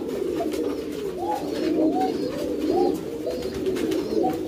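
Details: Pouter pigeons, a fancy domesticated variety of rock dove with a large inflatable crop, cooing indoors: several birds give overlapping low, rolling coos with short rising-falling notes, a continuous murmuring chorus.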